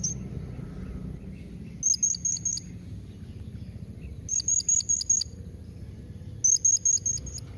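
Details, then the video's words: Answer-provoking calls of a blue-crowned hanging parrot: three bursts of five to seven rapid, shrill, very high notes, each burst lasting under a second, about two seconds apart. "Kombinasi Suara SERINDIT MEMANGGIL NEMBAK Mbeset Seperti ni Jadikan Srindit Anda Nyaut"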